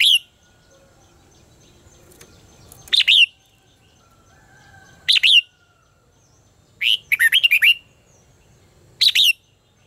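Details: Contest-style singing from a red-whiskered bulbul, meant for training and stirring birds to sing; brief loud warbled bursts spaced a few seconds apart, the third a rapid series of bright, slurred whistles, over a quiet background.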